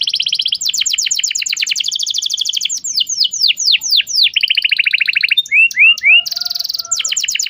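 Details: Prolific canary song used to train a juvenile canary: a fast buzzy trill, a sequence of falling slurs and rolling rattles, three short rising whistles, then a high sustained trill and quick descending notes.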